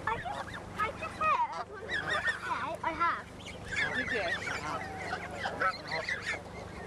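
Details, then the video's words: A Canada goose being fed seems to answer a child talking to it, giving a run of nasal, rising and falling honks with short gaps over a steady low hum and possibly a person's voice. "A talking Canada goose"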